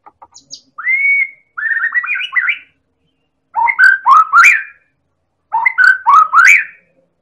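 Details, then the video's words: White-rumped shama of the Medan type from Indonesia, a very active singer whose song serves as a lure to provoke other birds into singing: a long rising whistle, then two groups of rich, fluting, up-slurred phrases separated by short pauses. "Pancingan Burung Murai Batu Medan Super Gacor"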